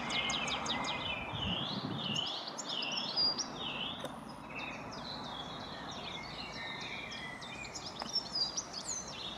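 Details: European goldfinch singing in a tree at Oakenholt, Flint, Flintshire, Wales, UK, recorded 27 April 2020; rapid twittering of high upswept, looping and buzzy notes with brief pauses, over steady low background noise.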